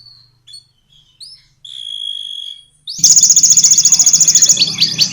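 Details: Canary performing konin and blackthroat bursts for training competition birds: a few thin high whistles and a long steady whistled note open, then a loud, fast, pulsed buzzy trill fills the rest.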